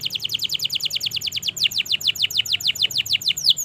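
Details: Canary with long continuous song intended to get silent or young birds singing: a fast, even trill of short falling whistled notes, shifting midway to slightly longer, brighter down-slurred notes at a quick steady pace.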